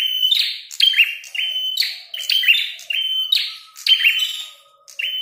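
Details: Red-headed prinia in a fighting bout, singing persistently: fast clicking bursts with short, reedy buzzes, about seven phrases in five seconds, a faint low whine running beneath the later notes.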